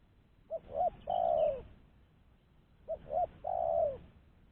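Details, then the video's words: Lure call of a spotted dove: two short coos followed by a long, slightly descending drawn-out coo, the phrase given twice about two and a half seconds apart over a faint low background hum. "Suara Burung Tekukur-Pancingan Suara Tekukur Bersih"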